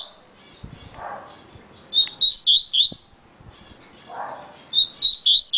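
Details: Quick, clear whistled phrase from a yellow-bellied seedeater, noted for singing very fast: five or six swooping notes, then a pause with a dull low sound, then the phrase starting again.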